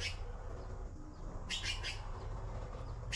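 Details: Blue magpie nestlings in the nest waiting for food from their mother: one short cluster of harsh, rasping broadband bursts in the middle, over steady low rumbling background noise.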